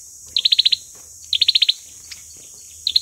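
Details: Fighting song of an olive-backed sunbird used to lure birds: two quick bursts of six or seven sharp high chips, about a second apart, with a faint hum underneath.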